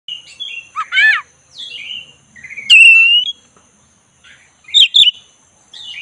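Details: Black-breasted Oriental magpie-robin singing in the relaxed 'ngeroll' rolling style, used to lure a listless bird into full song: varied clear whistles with rising and falling slurs, one loud buzzy burst, and sharp notes near the end, over a faint steady high tone.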